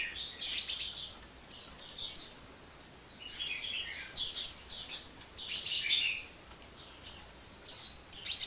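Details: Sunbird (local name kolibri) singing energetically without pause: bursts of high, thin, rapid twittering chirps and trills, separated by short silent gaps of about a second.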